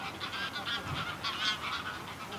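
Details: A small flock of greylag geese gives flight calls at close range: overlapping harsh, nasal honks, several each second, in a steady chattering stream.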